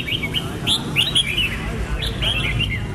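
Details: Short song phrases from a red-whiskered bulbul: a few clear, fluty whistled notes, each bending up then down, given in two quick bursts with a brief pause, with a low background hum.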